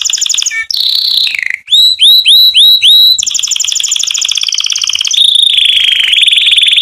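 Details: Canary song played to teach young canary chicks to sing: loud, continuous high song with rapid rolling trills, a run of six looping upslurred notes, then long buzzy tours at a steady pitch.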